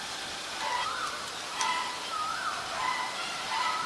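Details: Common iora, a resident bird in Thailand, giving soft whistled notes that rise and fall, about five phrases in four seconds, over a loud steady hiss.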